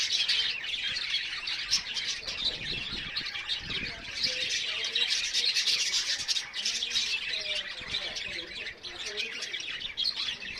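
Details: Many birds on a terrace top chirp and squawk together in a dense, overlapping chorus of high, scratchy notes, with faint lower voices in the background.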